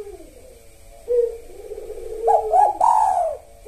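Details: Spotted dove, which often calls at the pre-dawn sahur hour, sings a kuk satu phrase used as a lure: a long low gliding coo, two quick rising notes, then a loud sustained higher coo that drops at the end.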